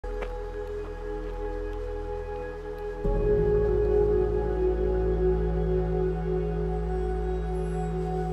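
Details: Calm ambient music with sustained tones, growing louder and fuller after three seconds, with no animal sounds.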